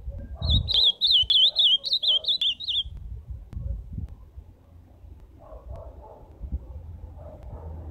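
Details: A warbling ultramarine grosbeak phrase of rapid, rolling whistled notes runs for about two and a half seconds, followed by quieter low murmurs and background noise.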